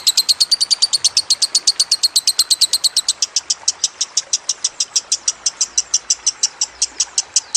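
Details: Lovebird singing on a training track with trickling water. It gives a steady stream of shrill, high chirps, very fast at first and then slightly spaced, about three per second, sustained without a break.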